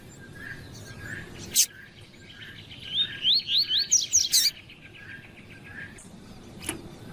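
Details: Double-collared seedeater ('fibra') with a female calling to rouse a male: a burst of roughly seven bright, upslurred whistled notes in quick succession mid-recording, softer low chips around it, and sharp knocks before and after.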